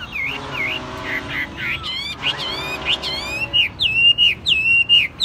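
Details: Mostly tame caged Chinese hwamei in full song: a rapid series of clear, looping whistled phrases, rising then falling, repeated roughly every half second and growing louder toward the end.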